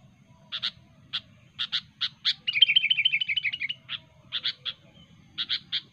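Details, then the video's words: Wild sooty-headed bulbul calling to rivals: loud, sharp single and paired notes interrupted by a rapid run of about a dozen quick, dropping chirps, then more clipped notes. "suara burung kutilang gacor asli alam tanpa isian"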